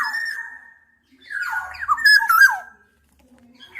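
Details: Black-naped oriole giving liquid, mellow whistles: a sustained fluty note that fades out, then a rapid cluster of rising and falling slurred notes, ending in silence with a faint low hum.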